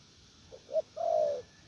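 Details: A spotted dove decoy bird coos softly and farther off in the 'gù lèo' style: two faint short notes lead into one long, steady, low coo.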